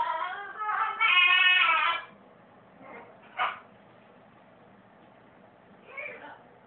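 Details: A calico macaw sings "I love you" in a loud, two-second, voice-like phrase, then gives three brief raspy squawks spaced over the following four seconds in a quiet room.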